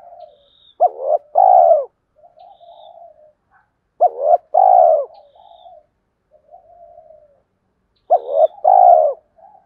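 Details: Spotted dove cooing to provoke rival wild doves and call females: three low, mellow phrases about four seconds apart, each a quick double note, then a fuller throaty coo trailing into softer murmurs. Background quiet.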